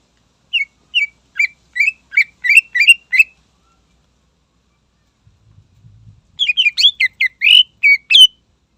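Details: Greater green leafbird in rousing song to goad rivals: an accelerating series of short upward-flicked whistled notes, a brief pause with faint low noise, then a dense tumbling run of sharp varied notes.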